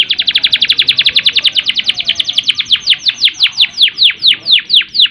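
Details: Long rolling canary song used to stimulate canaries lacking drive and breeding urge: a fast train of descending chirps that gradually slows and lengthens into broader downward sweeps.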